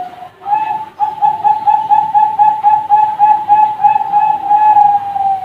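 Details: A young zebra dove of the Bangkok line, bred on a farm, sings a steady train of soft rolling coos, about four a second, on one even pitch for several seconds.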